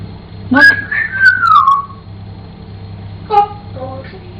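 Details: Pet African grey parrot singing: a clear whistled note that swoops upward, then slides down, followed after a pause by a few short voice-like syllables, all above a constant low hum.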